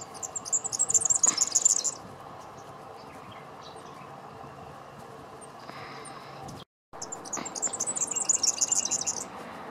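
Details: Female Superb Fairy-wren giving high, rapid, sparkling trilled reels in two bursts, one early and one late, separated by quieter background hiss and faint distant chirps.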